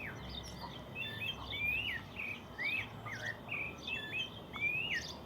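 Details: Birds singing in the countryside in the morning: clear whistled notes, many sweeping upward then dropping, given about once a second over a faint low rural hum.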